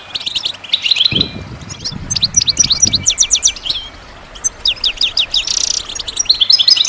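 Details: Goldfinch song played to encourage other birds to sing: choppy, clipped twittering notes in quick clusters, with a low rumbling noise underneath between the first and third seconds.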